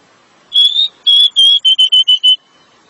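A Pied Bushchat gives clear, high whistled notes: a longer rising whistle, two steady ones, then a quick run of six short notes.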